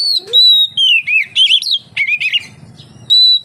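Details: Song of an Oriental magpie-robin, played to coax other magpie-robins into singing: a long steady whistle followed by rapid warbling, swooping whistled notes, a pause with a low hum, then another sustained whistle.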